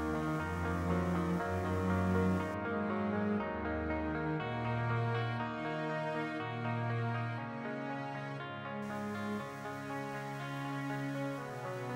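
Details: Only soft, sustained ambient music with layered tones is heard, with no animal sound.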